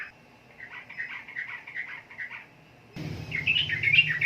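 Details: Sooty-headed bulbul (trucukan) gives a string of evenly spaced chirped notes. An abrupt cut brings in a louder, brighter warbling run over a low steady hum.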